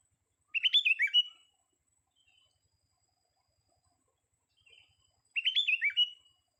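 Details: Bubbling phrases from a young sooty-headed bulbul: fast strings of bright, slurred chirping notes lasting under a second, given twice about five seconds apart with a faint note between, in near silence.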